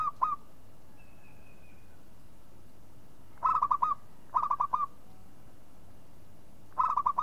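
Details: Local zebra dove calling: three bursts of four to five quick, mellow, stuttering coo notes, each ending on an upturned note. Long pauses separate the bursts, and a faint thin whistle sounds early on.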